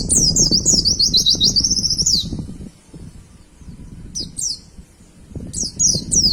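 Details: White-eye song for training caged birds: a two-second rippling trill of repeated rising-falling high notes, then silence and brief bursts of sharp chirps, with low rumbling noise throughout.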